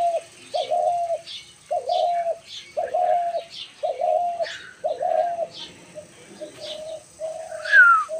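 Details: Dove giving steady, low, hollow coos spaced less than a second apart. The coos fade softer near the end, and a sharp, high descending chirp from another bird closes the sequence.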